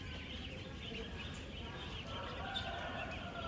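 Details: Thousands of 10-day-old ducklings on a real duck farm, moving around, eating and drinking; a dense continuous chorus of high peeping calls overlapping without pause, with a steady low rumble of farm noise beneath.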